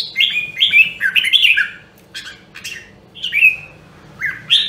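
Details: Red-whiskered bulbul of a rare Nam Dong, Hue voice line, singing for voice training: short warbled phrases of slurred, chattering notes, pauses between phrases, in a quiet room.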